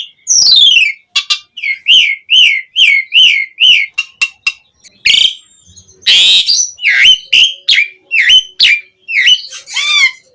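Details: Lure song of an Asian pied starling meant to prompt other starlings to answer: a descending whistled trill, then a run of five identical looping whistles, followed by harsh grating phrases and sweeping rising and falling notes.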